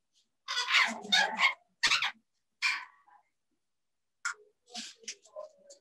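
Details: Two parrots in a bird safehouse, said to talk to each other with English phrases such as "Are you hungry?"; loud raspy speech-like phrases and squawks in the first two seconds, then scattered softer clicks and chatter.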